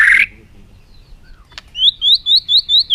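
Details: Bird giving a short burst of harsh sound, then a series of six clear whistled notes, each rising and then falling, repeated about every quarter second.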